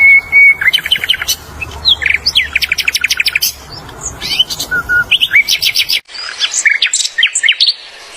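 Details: Flycatcher in the wild delivering a busy, high-pitched song of quick trilled bursts, rising and falling slurred notes, sharp clicks and squeaky phrases, with a brief break where the recording cuts, after which the song continues.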